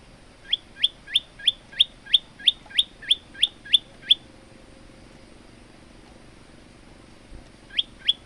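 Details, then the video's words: Male olive-backed tailorbird in full song, recorded as a master track for training other birds: a rapid series of about eleven sharp, upslurred chirps, roughly three per second, then a pause of several seconds and two more notes. "burung prenjak lumut gacor untuk masteran"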